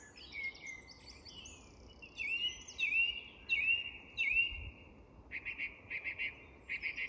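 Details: Song thrush singing at dusk in English woodland: a run of four repeated, swooping whistled phrases, then a short burst of dry, repeated notes, with other birds of the evening chorus faintly behind.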